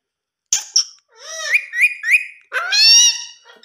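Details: Pet ring-necked parrot talking, imitating human speech in Hindi-speaking home; two short squeaky notes, then a run of rising harmonic syllables and a drawn-out nasal word, with a woman's voice coaxing nearby.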